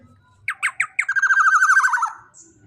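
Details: Loud, large-bodied young black-naped oriole recorded as a master for training birds: three coarse squawks spaced evenly, followed by a long rapid buzzing rattle that wavers and drops slightly in pitch.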